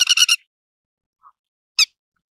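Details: Grey-headed lapwing: a quick run of four harsh, grating notes, then a pause and a single sharp scratchy note.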